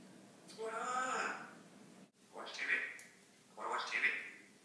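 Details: Talking Congo African grey parrot about four years old indoors: a longer voiced phrase followed by two short, clipped, high-pitched spoken words with brief silences between them.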